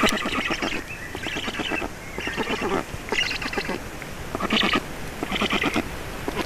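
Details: Feeding time at an Estonian black stork nest, 4 June 2019, 18:07; rasping, rapidly ticking call bursts alternating with short pauses, some bursts louder and higher than others.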